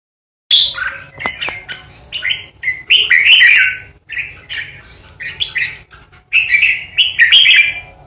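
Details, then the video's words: Caged decoy red-whiskered bulbul kept for singing contests, giving the harsh 'ché' song used to intimidate rivals: bursts of quick warbled and chattering notes, sliding up and down, with brief pauses and a faint low hum behind. "Chào mào mồi hót ché đỉnh | Red-whiskered Bulbul | นกปรอดหัวโขน"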